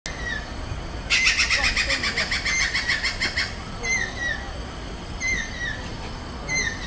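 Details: Stork-billed kingfisher (Pelargopsis capensis), resident at Pasir Ris Park, Singapore, calls with a harsh, rapid cackling burst of about two seconds, then short downslurred whistles repeating every second or so over a low rumble.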